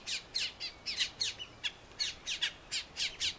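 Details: Colombian Mountain Grackle, a species endemic to Colombia, giving harsh, scratchy chattering notes, about three or four per second, with a few thin whistles mixed in.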